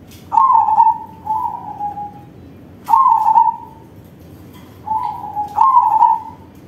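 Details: Crossbred zebra dove singing with a strong voice to prompt other doves: trilled coo phrases in short groups, a sharp-onset note followed by a softer falling trill, repeated after a pause of about two seconds.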